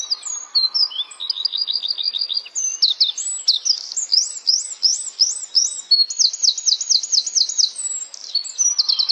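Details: Flowerpecker song: very high, thin notes in quick series, buzzy trills of repeated descending ticks, and sharp upslurred whistles, all continuous and lively, with a faint low hum in places.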